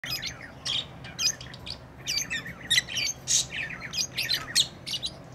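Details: Lovebirds chirping: shrill, scratchy high chirps and short squawks in irregular bursts, overlapping one another, with a faint low hum beneath.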